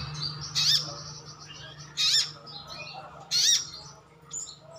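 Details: Brown-throated sunbird ('ngalas' type) in captivity calling to prompt responses from other birds: three softer, harsh high chirps spread over a few seconds amid steady low hum.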